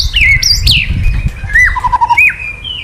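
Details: A white-rumped shama, a male excited by kretekan calls, gives rich whistles that slide up and down, then a quick run of lower repeated notes, over a low background rumble.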